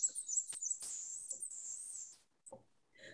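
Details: Black-and-white warbler, a small wood warbler of the forest canopy breeding in southwest Missouri, sings a thin, very high, squeaky run of repeated notes like a squeaky wheel over about two seconds; a man's voice follows.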